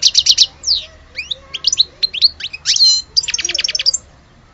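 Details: Algerian European goldfinch in full song: rapid runs of tinkling notes, sweeping downward slurs and a buzzy trill, with fast repeated clicks at start and end, loud and close in a quiet setting.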